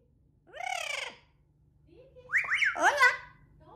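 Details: Pet parrot screaming, desperate for its owner and yelling at the household cat: two loud, harsh, wavering squawks, the second longer and broken into bending, rasping notes, with faint indoor hum behind.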